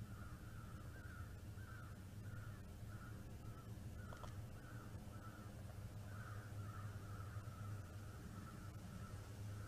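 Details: Bald eagle on a live nest stream, 09.12.2021, 15:58, giving a long series of faint wavering chirps, roughly two each second, over a steady loud low hum with an occasional click.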